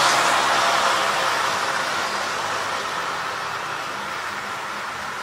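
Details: Steady broadband roar like passing traffic or wind, loud at first and slowly fading, with no animal voices.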